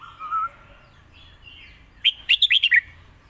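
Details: Caged competition red-whiskered bulbul singing a master song meant to teach young birds, mixed with lak wai: faint distant whistles first, then a loud burst of six rapid chirpy notes ending in a downward slur.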